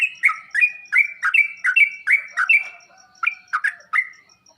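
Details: Sooty-headed bulbul song used as training audio to make kept birds answer and sing: a brisk run of short slurred notes, each dropping and rising, repeated about every half second, with a brief gap near the end.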